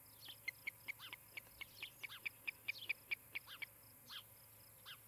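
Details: Osprey at a nest in Charlo, Montana, on the evening of 17 July 2018, giving a rapid series of sharp, high whistled chirps, about two per second, with some slurred downward notes; faint steady hum.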